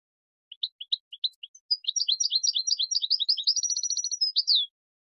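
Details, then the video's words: Singing European goldfinch recorded to train chicks: widely spaced high chips quicken into about three seconds of dense, jingling twittering with a short buzzy trill near the end. "Taghreed goldfinch in a very beautiful voice"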